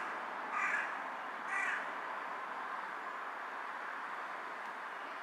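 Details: Two harsh, grating caws about a second apart from a carrion crow bowing on a power line, followed by several seconds of steady hiss.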